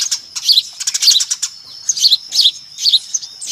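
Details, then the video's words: A noisy flock of Eurasian tree sparrows used as a lure: clustered bright chirps in uneven groups, some louder notes standing out from the chatter. "SUARA PIKAT BURUNG GEREJA RIBUT AMPUH"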